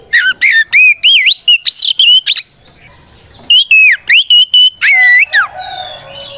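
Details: White-rumped shama pouring out a challenging song to provoke other shamas: a rapid series of bright whistles and upward sweeps, a short pause, then more steady and gliding whistled notes.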